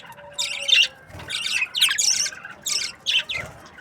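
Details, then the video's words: Budgerigar breeding pairs chirping: bursts of bright, scratchy high chirps at irregular intervals, with short quiet gaps between them and a faint low hum underneath. "Budgies parrot chirping sounds | breeding pairs"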